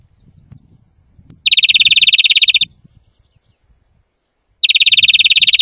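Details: European greenfinch song, very loud, meant for trapping and teaching: two rapid, steady, ringing trills, each lasting just over a second, separated by three seconds of silence.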